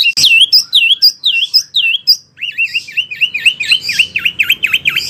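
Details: Wambi song used as a training recording for oriental magpie-robins and other birds: a run of high, looping whistled notes repeated about twice a second, then a faster series of sharp, swooping V-shaped whistles, with a faint low hum behind.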